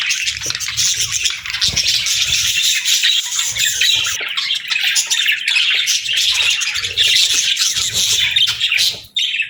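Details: Chattering budgerigars, natural chirping for pet parakeets: a long stretch of busy high warbles and scratchy squawks from many birds, ending in a sudden fade.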